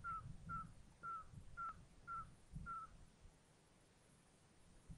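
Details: Eurasian scops owls at a nest with five owlets, on a live nest camera at Tiszaeszlár, Hungary, 19 June 2022: six short, clear, slightly falling whistled hoots, about two per second, then quiet with soft rustling.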